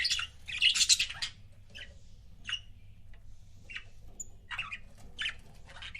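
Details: Pet budgies in couples: a loud raspy burst at the start, then scattered softer chirps and squeaks at irregular intervals over a low background hum.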